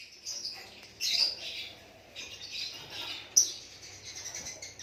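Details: White-rumped shama, said to be a Lakbet, giving natural song: harsh, squawky high phrases in uneven bursts, with one loud sharp note standing out late in the passage.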